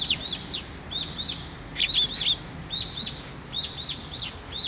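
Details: Sparrows assemble at a post feeder at a Tenmangu shrine on 24 June 2023, chattering in loud, rapid, high chirps, pairs and triplets of notes following closely throughout, with a louder overlapping flurry near two seconds.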